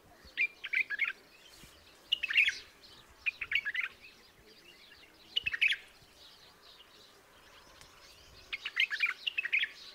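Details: Song of the white-eared bulbul, heard as short bubbly phrases of a few quick chirped notes, delivered in bursts about every one and a half seconds with quiet gaps between.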